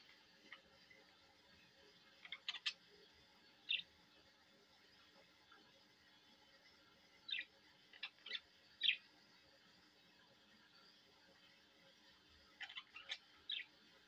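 Budgerigar giving short, bright chirps in scattered bursts against a faint steady hum.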